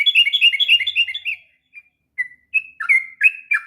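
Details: Sooty-headed bulbul singing a long 'ngropel' song meant for tutoring young birds: it opens with a fast run of bright chirps, pauses, then gives separate whistled notes, some slurred downward.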